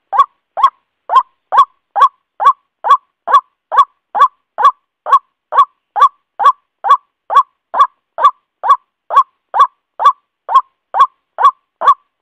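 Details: Long unbroken series of roughly twenty-seven grating croaks from a male White-breasted waterhen calling the female, pulsing evenly at about two notes per second over silence.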